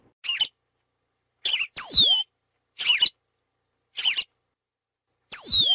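Yellow-rumped Marshbird song: short, buzzy chattering notes alternate with loud, ringing whistles that slide steeply downward, in phrases about once a second. No other sounds.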